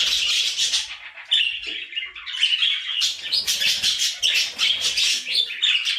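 A budgerigar chirps and chatters in a busy, scratchy stream of high, warbled notes.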